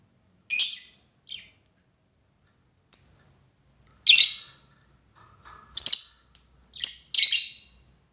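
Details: Lovebird calling out to a rival as lure audio, long ngekek: sharp, shrill screeches, sparse at first, then a quick cluster of harsh chattering notes near the end.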